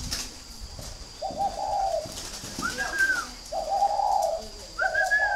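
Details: Spotted doves of northern Vietnam at a breeding farm in Ba Vì, Hanoi, calling in turns: low, rough, throaty coos alternate with higher, smoother arched notes, each phrase roughly a second long.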